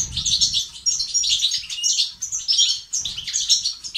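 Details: Male European goldfinch song in the styles called betbeta and sestasat, used to stimulate males into activity and singing: rapid, high, liquid twittering in tinkling bursts with short pauses, over a low rumbling background.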